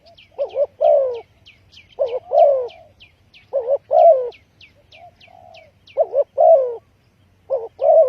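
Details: Steady coo-croo phrases from a spotted dove, recorded as a lure for trapping. A short double-humped note leads into a longer descending coo, repeated five times with soft low coos between. A continuous series of high thin chirps from another bird runs alongside.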